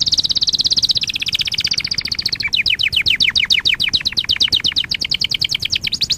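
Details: Canary singing as a training song: a high rapid rattling trill, switching midway to a series of quick sweeping notes repeated several times a second, ending on another fast trill.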